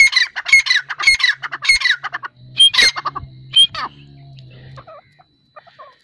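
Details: Female grey francolin (teetar) giving harsh, squawky repeated notes for about two seconds, followed by a few louder scratchy calls, then softer chirps with a low steady hum underneath.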